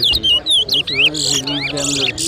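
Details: Towa towa, a large-billed seed-finch, in a whistling competition at Lusignan, Guyana: a quick run of clear whistled notes, some sliding up and down, ending in buzzy trills, with people talking in the background.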